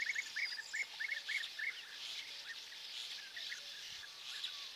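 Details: European bee-eaters at perches in Hungary on an early morning, 10 May 2024, large groups passing over: short rolling chirps near two kilohertz, repeated rapidly in bursts and overlapping, later fainter, over a steady hiss of background noise.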